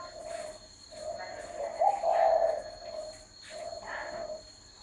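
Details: Low, mellow coos from a spotted dove, a longer, louder phrase in the middle between softer ones, with a constant high electrical whine behind.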